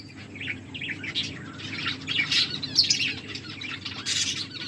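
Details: Several finches chirp while eating, giving bright, high, clipped notes in irregular overlapping bursts, against a low steady background hum.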